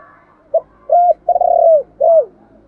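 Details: Spotted dove used as a decoy to stimulate wild birds; a single low phrase: brief first note, a coo, a long burry trilled coo, then a falling final coo.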